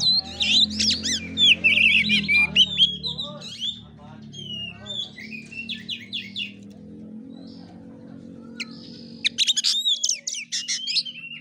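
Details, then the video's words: Oriental magpie-robin in fighting-style 'kura kura' song: bursts of loud varied chirps and whistles, a quieter stretch of scattered notes, then a renewed harsh burst, over a low background hum. "KACER NGEPLAY TARUNG|GAYA KURA KURA"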